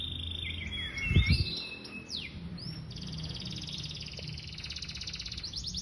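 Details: A Yorkshire canary from Indonesia sings bright slurred whistles and swoops, then a fast, rattling trill held for several seconds, with a short low thump and constant background hum.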